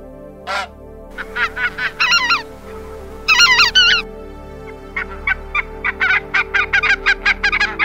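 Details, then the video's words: A goose honks in loud, nasal bursts, some long and wavering, then a rapid run of short honks about three per second. "Goose Sounds | The Sound a Goose Makes"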